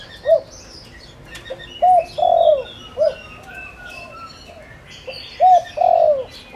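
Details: Lure spotted dove cooing to attract wild doves: a lone short coo, then two full phrases of short note, long sliding coo and short end note, backed by distant twittering birds.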